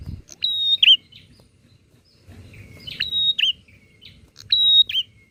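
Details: Energetic bar-winged prinia in back-and-forth calling meant to agitate rival prinias. Three loud phrases, each a flat high whistle ending in a wavering, descending buzz, with softer lower notes between them and a faint low hum beneath.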